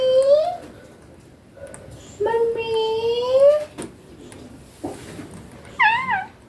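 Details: Ringneck green parrot kept as a pet, talking: drawn-out tonal, voice-like phrases with rich harmonics, one long steady syllable, then a wavering, warbled utterance at the end; a room-like background.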